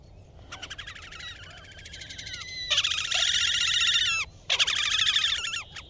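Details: Loud Slavonian grebe trilling: a fast chattering trill that builds into a dense, squealing, harmonic outburst, breaks off briefly, then resumes strongly.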